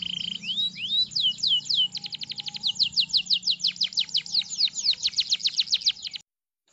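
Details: Canary with chirping calls and a long roll, used as a model for young canaries: rising whistles lead into a long series of quick, sharp, high chirps, ending in silence.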